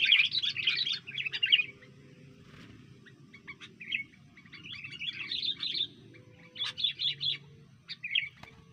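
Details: Sooty-headed bulbul gives bursts of bubbly, chattering chirps, about five quick phrases with short pauses, over a faint low background hum; calls used as a lure for trapping bulbuls.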